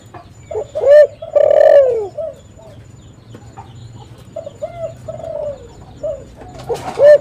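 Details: Lure call of a spotted dove: loud, close, hollow coos, the longest sliding downward at the end, separated by pauses, with fainter doves cooing in between and a faint low hum.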